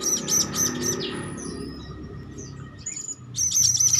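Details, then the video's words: Young hand-reared Blue-crowned Hanging Parrot calling eagerly. Quick clusters of three or four piercing, buzzy high chirps open and close the stretch, with scattered thin squeaks between them over a low, murmuring background hum. "ANAK BURUNG SERINDIT LOLOHAN SUDAH GACOR"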